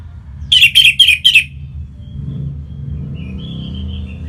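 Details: Punglor merah, the orange-headed thrush, from Singaraja in North Bali, sung to draw out other birds' song: four quick, bright, sharply stressed phrases in a row, a soft drawn whistle after, then a fresh note at the end.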